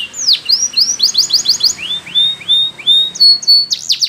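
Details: Belgian canary; training song of a Spanish Timbrado canary singing high, rapid tours of repeated notes, from quick downward-slurred trills to longer swooping whistles, switching pattern every second or so.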